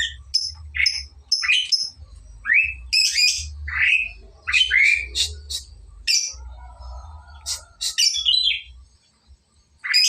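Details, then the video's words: Lovebird learning the ngekek song style, its phrases beginning to grow longer; sharp, high chirps and short squawky notes come in quick irregular bursts, with a low hum running underneath. "burung love bird belajar ngekek durasi mulai panjang"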